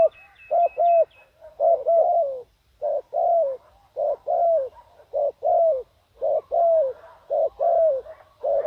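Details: Spotted dove used as a decoy to attract wild doves, giving mellow, throaty coos in paired and triple bursts, each note slightly falling, repeated roughly every second. Soft high chirps can be heard early on.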